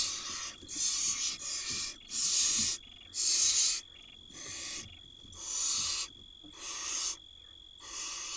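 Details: Hungry barn owl chicks on a 2022 nest camera in Israel beg while the mother brings food. About eight rough hissing bursts come nearly once a second and vary in loudness over a steady high tone.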